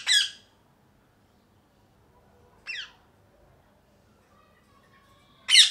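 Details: Three separate harsh parrot squawks: a loud one at the start, a softer, thinner one after about two and a half seconds, and another loud burst at the end, with quiet gaps and faint background hum between them.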